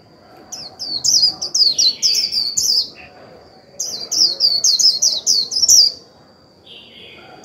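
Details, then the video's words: White-eye decoy singing líu to trigger a newly caught bird: two long, rapid strings of high, slurred, downward-sweeping chirps, each lasting about two seconds, with a quiet gap between and a faint steady high tone. "Khuyên mồi líu vừa phải kích bổi líu ngay!"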